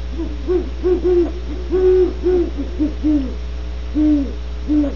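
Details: Low, mellow hooting from great horned owls at Starr Ranch in California, a dozen short notes in uneven groups with a few drawn-out hoots, a constant mains hum underneath.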